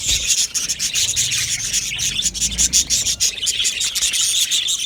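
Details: Budgies in a group keep up dense, continuous chirping and chattering, a busy high-pitched rasping mix of overlapping chirps with brief dips in loudness and no other clear sounds.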